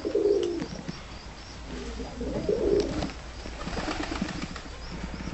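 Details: Loft-kept tumbler pigeons, timid-looking but easily controlled, producing two deep rolling coos at the start and near 2.5 seconds, followed by scattered clicks, scraping and wing movement.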